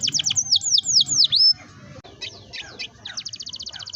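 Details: Canary singing a long roll, played to encourage young birds to sing: fast descending slurred notes, a short pause, scattered swoops, then a rapid even trill of high clipped notes.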